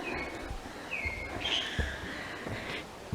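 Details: A kaka in the lower valley of Zealandia sanctuary, New Zealand, squawks and screeches in drawn-out, high whistled notes, some level and some sliding, over low wind rumble and handling noise.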